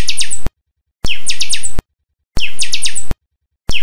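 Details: Chanchão delivering its pinga song: the same quick cluster of high, sweeping whistled notes repeated roughly every 1.3 seconds, each phrase starting and ending abruptly between stretches of silence.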